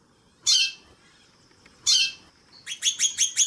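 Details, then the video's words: Female white-bellied seedeater calling while a male sings behind her: two loud, harsh, buzzy calls about one and a half seconds apart, a steady faint high tone between them, then a fast run of five high chipping notes. "Piado de Fêmea de Chorão + Macho cantando no fundo"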